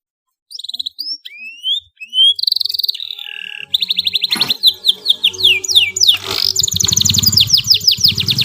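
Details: Canary singing a long master song for young birds; spaced rising whistles build into dense rapid trills and rolls, with a couple of sharp clicks and growing low background noise.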